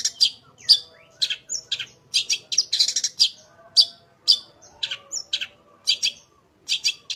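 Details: Long-tailed shrike in full, lively song, recorded as a master for other shrikes: a varied stream of scratchy high chirps, short downslurred whistles and squeaky notes, delivered in uneven bursts with brief gaps.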